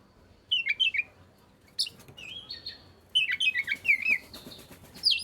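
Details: Oriental magpie-robin song for stirring silent birds to sing: a few clear whistled phrases, a drawn-out flat whistle, then a lively run of descending slurred notes over a soft hiss.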